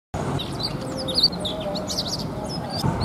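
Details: Male Indian robin calling loudly, giving sharp, high chirps and short whistled notes in quick bursts, with other small birds twittering over a low, rumbling background.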